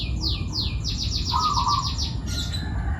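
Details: Young forest long-tailed shrike from Pati, Central Java: two descending swept notes, then a fast regular series of about ten short downward strokes, a low whistle underneath, and a buzzy high note at the end over steady hum.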